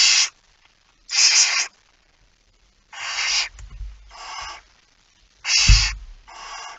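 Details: Nest box K5, early morning of 19 September 2019, feeding under way: a barn owl gives six short, wheezy hisses in uneven spacing, mixed with scuffling and thudding movement sounds.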